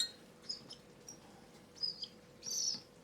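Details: One of seven cockatiel chicks at their second hand-feeding of the day, before settling for the night, gives short, high, squeaky begging calls in scattered bursts, a feeding reaction, ending with a longer raspy squeal; quiet room noise behind.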